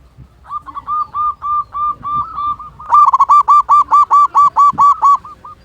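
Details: Local zebra dove, a big-voiced, frequently singing bird used as a lure to prompt other caged doves to sing: a rapid run of short, hollow, evenly pitched coos, a softer series, then a louder, harsher burst of about a dozen notes.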